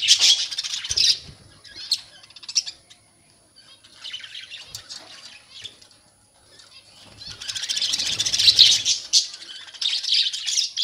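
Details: Loud, dense budgerigar chatter in a breeding colony with young birds out: rapid, scratchy twittering from many birds, easing into a quieter lull midway before swelling again into continuous noisy chirping.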